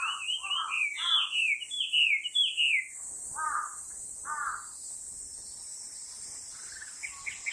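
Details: Chinese hwamei singing on 7 August 2020, recorded with an X-T4 camera. It gives rapid, varied, loud whistled phrases of rising and falling slurred notes, then pauses before softer repeated notes. A constant high insect drone runs throughout.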